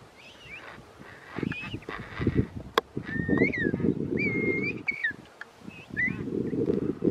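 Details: King penguin chick being fed at Parque Pinguino Rey: repeated clear whistled calls, some rising and others wavering or falling, in short bursts over a steady low rumble of wind or handling noise.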